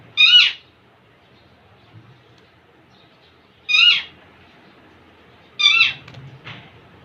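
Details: Young male Indian ringneck parakeet courting a female: three harsh, screechy squawks spaced about two and a half seconds apart, with a faint softer note after the last.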